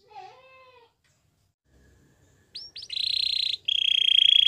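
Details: Canary training song: a brief lower, wavering tone at the start, a pause, then short rising notes followed by two long, fast buzzy rolls held at one high pitch.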